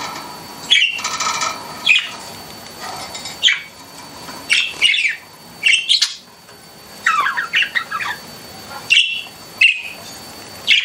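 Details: Pet budgies chirping indoors, giving a steady run of short sharp chirps and squawks roughly every second, with some rapid chattering bursts in between.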